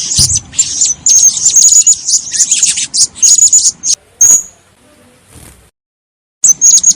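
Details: Blue-crowned hanging parrot, sound for luring birds to a trap: rapid high-pitched shrill chatter with thin sharp notes in quick runs, a brief silence, then renewed high chirping at the end.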